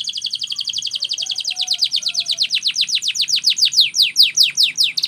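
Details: Canary training song: a fast, rolling trill of rapid descending notes that gradually slows into wider, sweeping down-slurred notes, about two or three per second by the end.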